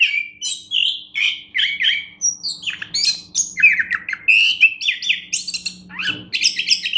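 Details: A champion orange-headed thrush (anis kembang) pours out a rapid, unbroken stream of sweet whistles, trills and scratchy buzzy notes, each phrase different, over a faint low indoor hum.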